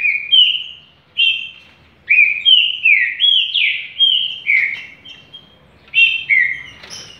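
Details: Green-winged saltator singing fast, strong phrases, called a champion: rich whistled notes slurring down and up, strung closely together, then a short gap and a final pair of phrases ending with a high thin note.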